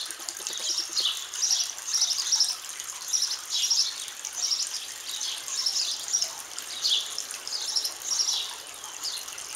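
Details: Backyard nest of baby sparrows in Azle: a near-continuous chorus of thin, high squeaky chirps swelling in pulses roughly every second, steady throughout, over a low background hiss.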